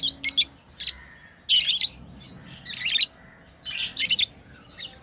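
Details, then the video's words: Pet lovebirds playing, giving sharp high chirps in short bursts roughly once a second, separated by quiet gaps, with a faint low indoor hum behind. "Lovebirds playing & Chirping sounds"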